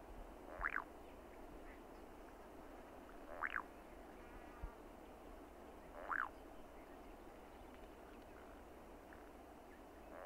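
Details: Croaking ground dove (Columbina cruziana) song: short, buzzy, frog-like croaks, one about every three seconds, over a steady low background hum.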